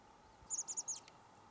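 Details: Chestnut-backed chickadee calling on Douglas Island near Juneau, Alaska, on 19 March 2020: four quick, very high, thin chip notes run together in under half a second over a steady low background hum.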